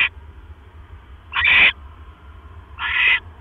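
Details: Barn owl nest, 1:09 AM, 12 October 2015, male bringing another mouse: two separate short, grating, hissy screeches about a second and a half apart, with a low background hum.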